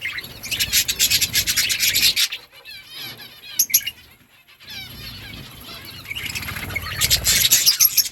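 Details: Budgerigars chirping to each other in a colony setting: dense bursts of high scratchy chatter and warbles, a quieter middle stretch with soft warbling notes, then loud chatter again, with wing flutters.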